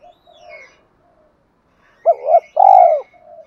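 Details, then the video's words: Spotted dove lure call in 'thổ' voice: after faint low murmurs comes a strong wavering coo and a long burred croo falling at the end, with thin whistles of other birds behind. "tieng chim cu gay kich boi nhanh nổi hiệu quả"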